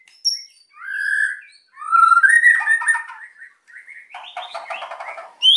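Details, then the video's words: Captive white-rumped shama in agitated song intended to goad silent birds: clear whistled notes, a swelling rising phrase, then a long stretch of rapid, rattling chatter. "MURAI GACOR EMOSI BIKIN MEMANCING BURUNG YANG PENDIAM"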